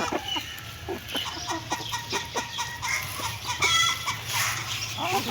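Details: Hen eating food with scattered soft clucks and a few brief, higher, tonal notes near the end, set against a steady hum and a noisy background.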